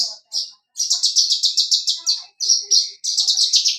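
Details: Javan bush lark, singing hard while dancing on a stone with a crystal-clear voice: fast rhythmic series of very high sharp chirps, about six per second, with brief gaps and a few drawn-out whistled notes.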